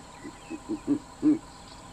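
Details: Verreaux's eagle-owl calling by day from up in a tree in Kruger National Park gives five deep, grunting hoots that swell in loudness over about a second, with a faint background hiss.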